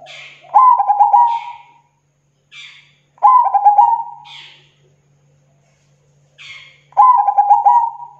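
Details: Zebra dove song, a full, clear lure song for attracting local zebra doves: three mellow cooing phrases, each a rapid stuttering run of soft notes that settles into a drawn-out hum, with a short higher rasp before each phrase.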